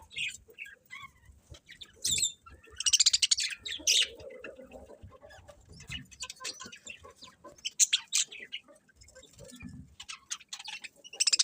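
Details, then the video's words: Birds chirping in the morning: many brief high chirps and trills overlapping, some in quick bursts, with faint low thumps and handling noise beneath. "Cute Birds Chirping Sounds In The Morning"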